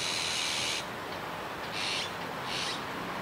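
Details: In Kiba Park on 17 July 2019, a juvenile azure-winged magpie utters one long hissing rasp followed by two shorter ones, spaced about a second apart over quiet background.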